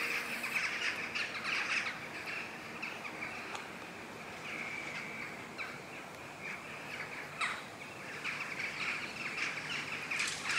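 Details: Jackdaws (Corvus monedula) flying in large numbers at dusk over Houtwijk, The Hague, Netherlands, on 11 October 2015; a continuous chatter of many short bright calls, some louder bursts, under a faint noise bed.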